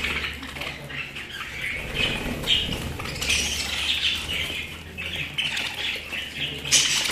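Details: Budgerigars kept as pets give a continuous busy warble of scratchy chirps and squeaks, rising in loudness in bursts, over a faint low hum.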